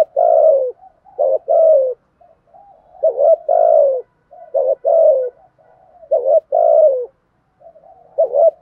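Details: Spotted dove giving 'thúc gù' coos meant to make a newly caught captive bird call at once: low, hoarse phrases, each a short doubled note followed by a drawn-out falling coo, repeated about five times with soft murmurs between.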